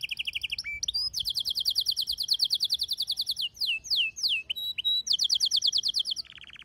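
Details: Male canary singing while a female calls for mating: rapid high trills of repeated notes, about three per second, broken by descending whistled slurs and a final buzzy trill.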